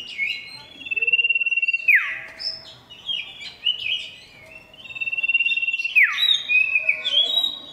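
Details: Lively male oriental magpie-robin calling to a female, giving loud clear phrases: a rapid trill, a long level whistle dropping steeply at the end, twice, with varied chirps and whistles between.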